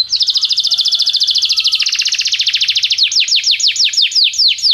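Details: Training song from a canary: a long, dense, rapid rolling trill for about three seconds, shifting slightly lower partway, followed by a series of slower, loud downward-swooping whistles.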